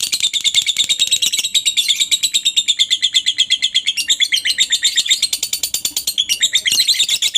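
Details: Lovebird giving a long ngekek chatter, used to prompt other lovebirds to answer and sing: a fast, unbroken run of sharp, high chattering notes, about three per second, steady for the whole stretch.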